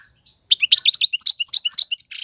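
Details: Male European goldfinch song used to tutor fledglings: a dense, fast run of high tinkling, liquid twitters, each note quickly repeated, ending in a short buzzy burst.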